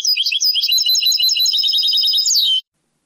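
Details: Caged European goldfinch singing in the Moroccan Sebtaoui style, from an old cassette tape of the late 1990s to early 2000s: a fast, continuous stream of high twittering and trilled notes, bright and tinkling, ending abruptly.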